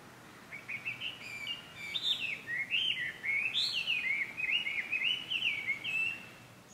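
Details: Chinese hwamei recorded at a nature site in Japan on 5 June 2020: a continuous run of loud, fluid whistled phrases, rising and falling rapidly, with a few faint higher notes from another bird.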